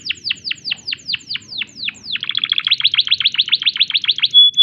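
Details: Canary singing in breeding condition, starting with evenly spaced descending sweeps, shifting into a faster stuttering trill, closing on a clear sustained whistle.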